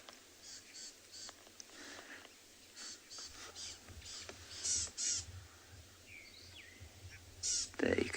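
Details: Rattling Cisticola at sunrise, 6 July 2020, Tswalu Kalahari Reserve, South Africa: harsh, scratchy alarm notes in quick uneven bursts, several per second, scolding a slender mongoose, as a man talks quietly.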